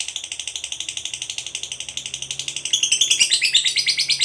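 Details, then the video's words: Long ngekek trill of a fighter lovebird, a call aimed at provoking a rival: quick rasping chatter, softer for the first two and a half seconds, then louder and rougher to the end. "Pancingan Suara Burung Lovebird Fighter Ngekek Pancing EMOSI LAWAN"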